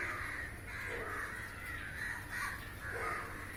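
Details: Many crows flying and catching flying insects in the air, perched in a row on a roof; rough, harsh caws overlap in repeated bursts, with a low background hum.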